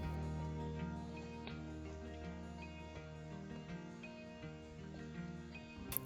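Soft instrumental music with sustained low tones and light ticking percussion, with no animal voice anywhere.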